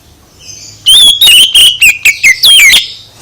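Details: Song of an oriental magpie-robin, played to make other magpie-robins respond: a loud, fast sequence of about seven short whistled notes, some steady, some swooping downward, with brief gaps and a faint high trill before.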